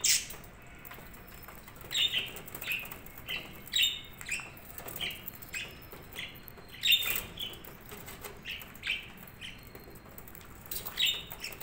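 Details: Budgerigars chirping steadily, with short sharp notes repeated irregularly every second or so across the whole stretch, some slightly buzzy, against faint background noise.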